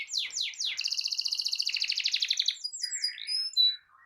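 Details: Canary song intended to get a silent canary singing. A few rapid downward sweeps lead into a loud pulsed roll lasting about two seconds, which ends in scattered thin whistles.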